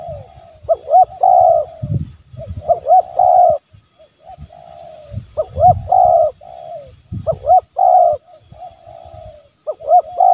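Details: A spotted dove gives soft, hollow cooing phrases of several mellow notes, about every couple of seconds, over low dull thumps. This is a calling and challenging coo used to lure wild doves closer.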